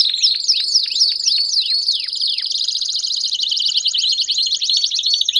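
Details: Belgian canary singing energetically, opening with a series of downward-sweeping whistled notes, then breaking into a dense, fast rolling trill held high and steady to the end.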